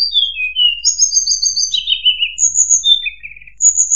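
High, thin whistled notes, some falling and some level, mixed with short buzzy trills, given in quick succession over four seconds. No other sounds stand out.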